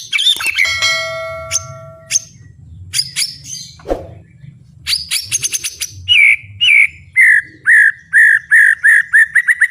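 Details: White-rumped shama singing at full volume with fighting spirit: sharp chips and downslurred notes, then a run of about ten loud, evenly spaced whistled notes near the end, over a low steady hum.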